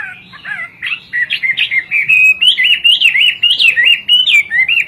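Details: Rich, varied song of a hwamei, a Chinese species prized for its singing. Twisting whistled notes build into a fast, loud sequence of rising-and-falling slurs with almost no pauses.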